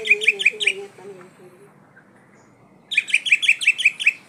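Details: Oriental magpie-robin of the poci variety: four quick piercing notes over a soft low warble, a silent pause, then a rapid run of about eight sharp, evenly repeated notes.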